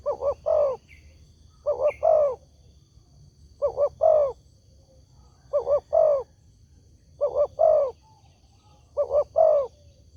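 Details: Spotted dove call used as a lure so that other doves answer: low, mellow paired coos, a short note then a longer falling one, repeated about every two seconds six times, with a faint low hum behind.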